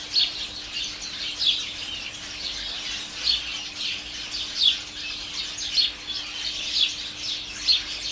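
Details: A house sparrow colony in a garden, mainly in a holly tree and about 30 more in a flowering currant, recorded from the kitchen door, keeps up a steady, overlapping chatter of bright chirps. Louder bursts come every second or so over a faint low hum.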